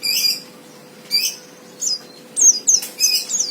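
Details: White-eye fighter song used to provoke a rival into singing: short, separate high chirps and squeaky notes, growing into a quicker cluster near the end, over a faint hum.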